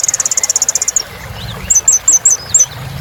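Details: Kolibri ninja sunbird in strong song, used to get birds that stopped singing going again: a one-second rapid high trill, then a series of six short, downslurred high chips with faint lower warbles.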